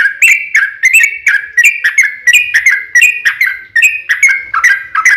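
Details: Yellow-vented bulbul's extended 'ropel panjang' song, played to lure other bulbuls to sing back. Rapid series of liquid, swooping whistles with a bubbly, rolling quality, kept up without a pause.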